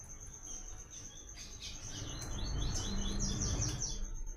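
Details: Coleiro song in the 'Tui Tui' pattern, a reference for learning: evenly spaced short high downslurred notes building through the second half, above a steady high tone and low background rumble.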